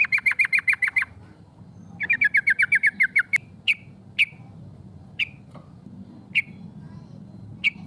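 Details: Female sooty-headed bulbul calling to provoke rivals, a rolling 'cok cok' call used as a lure: a fast trill of sharp chipping notes, a pause, a second longer trill, then single sharp 'cok' notes spaced about a second apart over low hum.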